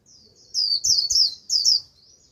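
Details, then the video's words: High, rapid twittering from a Japanese white-eye kept as a decoy to draw in wild birds, four or five loud slurred notes in two close bursts of the líu song. "Vành khuyên mồi gọi bổi cực tốt, bổi đến cả đàn, bật líu theo."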